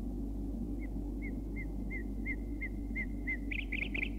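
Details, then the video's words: Common nightingale, Bulgaria, song of a male: a series of about nine pure whistled notes, roughly three per second, then quicker, higher trills, over a steady low hum. "едва ли има човек който да не е чувал за вълшебните песни на крилатия маестро славея"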